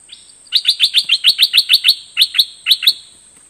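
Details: Bulbul giving a fast run of sharp, bright chirped notes, about a dozen in quick succession with a short pause midway, each note dropping slightly in pitch; a steady high hiss runs behind.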